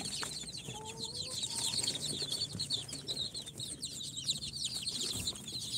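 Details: Newly hatched incubator chicks on day four, a mixed brood of Sultan, Golden Sebright, Cochin and booted chickens, keep up a dense chorus of high, short downslurred peeps. A faint, steadier whistle-like tone sounds briefly near the start.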